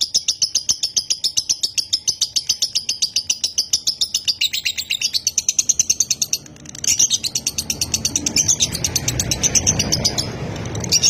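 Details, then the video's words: Konslet lovebird from a Nganjuk breeder in long continuous singing. High, rapid chattering notes come in an unbroken stream. A brief break is followed by more chatter over a growing low rumbling background noise. "LOVEBIRD KONSLET"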